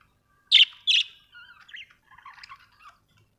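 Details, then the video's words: Budgerigar: two sharp, loud chirps in quick succession, followed by softer whistled notes and a quiet rambling twitter. "budgie chirping sound"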